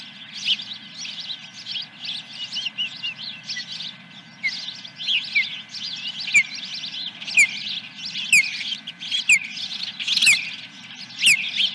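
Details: Osprey at the nest on July 10, 2021, around a fish delivery: soft overlapping high chatter with short sharp downslurred whistles breaking through about every second.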